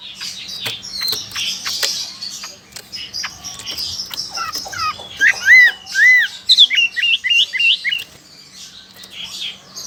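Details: Chinese hwamei, a lively, hard-to-tame bird from China with a loud voice, kept in Sokaraja, Banyumas, Central Java, Indonesia; varied song of scratchy chirps followed by loud, clear, looping whistled notes repeated rapidly around six seconds.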